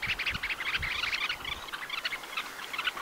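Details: Red-necked Phalaropes on Flatey Island, Iceland, give a busy chatter of short, sharp high chips and twittering notes, several birds overlapping, with soft low thumps of wind beneath.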